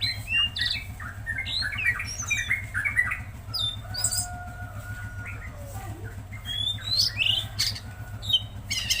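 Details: Tledekan Laut singing vigorously: scattered high chirps and short whistled slides over a steady low droning hum that runs throughout.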